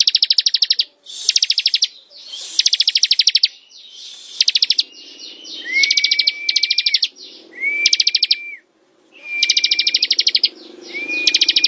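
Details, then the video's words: Sustained ngebren singing by a bar-winged prinia, known locally as ciblek: nearly unbroken chains of sharp metallic ticks, with short upswept whistles leading into later bursts. "Suara ciblek ngebren"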